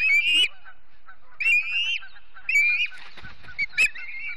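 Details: Morning at the Charlo nest in Montana, September 2016, live cam of an osprey family: drawn-out upslurred whistles, three longer calls followed by faint, short chirps.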